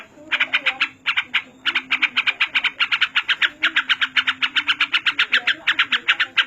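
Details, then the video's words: Trucuk (yellow-vented bulbul) used as a master recording for training other birds: a fast, almost continuous string of scratchy clipped notes, about four per second, with brief breaks. "Masteran burung trucuk paling banyak digunakan"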